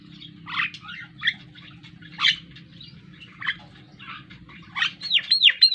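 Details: Javan myna, a black bird with a yellow bill, learning to sing: harsh chattering bursts come every second or so over a low hum, ending in a quick run of clear looping whistles.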